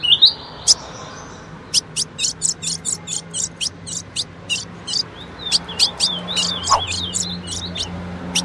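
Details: Female ultramarine grosbeak, in a recording used to make males sing: crisp high ticks in quick series, followed by twisting whistled phrases that wobble up and down, with faint low hum beneath.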